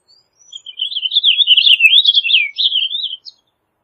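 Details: Purple finch in song, delivering one continuous, bubbly warble of about two and a half seconds, with quick notes swooping up and down. Nothing else is heard.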